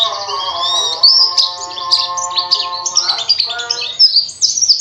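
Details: Pleci (white-eye) singing in energetic 'gacor ngalas ngerol nembak' style, seeking a rival: rapid high twittering with sharp rising whistled notes, continuous chatter throughout, over steady low tonal humming lines.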